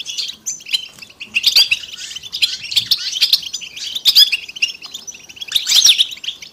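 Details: European goldfinches singing as a group to encourage silent birds to sing. Bursts of lively twittering and liquid chattering notes come in surges about every second, with brief softer gaps between.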